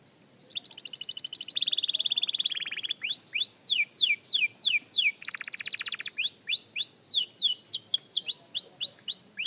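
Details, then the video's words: A beginner canary works through its song: an opening drawn-out whistled tone, buzzy rattling passages, then regular descending whistled notes repeated about three per second, with faint background hiss. "Young Canary Singing Practice – Surprisingly Good for a Beginner!"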